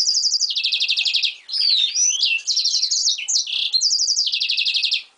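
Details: Song of a yellow-rumped seedeater x canary hybrid emerging from molt: rolling high trills that step down in pitch, bursts of sliding whistles and twittering in between, then the stepped trill pattern repeats.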